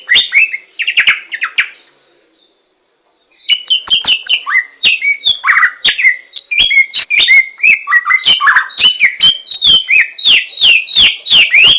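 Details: Wild Hwamei with a rich, varied song: a burst of chirps, a two-second pause, then a long, tumbling stream of whistles, slurs and sharp notes that speeds up toward the end.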